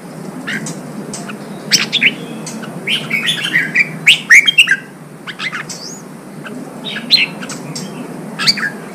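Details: Red-whiskered bulbul song used to stimulate fighting: scattered sharp chirps building into a dense burst of rapid whistled notes near the middle, then sparser chirps and a few clear whistles, with steady low hiss beneath.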